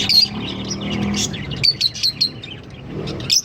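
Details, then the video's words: A green pair of Fischer's lovebirds singing and chirping: quick high chirps and sharp tweets in bursts, busy and overlapping, over a low rumbling background. "Lovebird Singing and Chirping Sounds- Green Fischer Pair"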